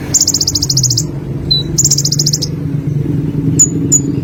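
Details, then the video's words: Olive-backed sunbird, or konin, delivering two quick high-pitched pulsed trills separated by a thin short note, followed by two sharp clipped chips, over a low hum. "BURUNG KONIN SUARA GACOR FUL MATERI 100% JERNIH || KOLIBRI"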